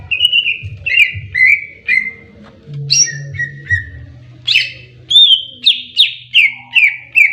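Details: Greater green leafbird in a fight, singing a string of bright downslurred whistles, a burst of high rising notes, then quick descending chirps, with soft low humming behind.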